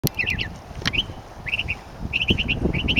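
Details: Northern mockingbird singing: short, bright, downslurred whistled notes given in quick clusters of two to four, with brief pauses between groups, over a low rumbling background.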